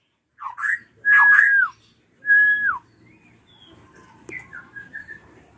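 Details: Ashy drongo screams used to draw song from young birds: a few rough notes, two long loud whistles that hold steady then drop away, then soft scattered twittering with a click.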